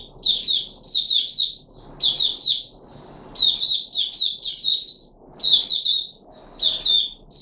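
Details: Red-whiskered bulbul kept in a cage, recorded 13 April 2021 after a feeding trial with fruit juice and one mealworm, gives bursts of clear, rapid chirping notes in short groups with brief pauses between them.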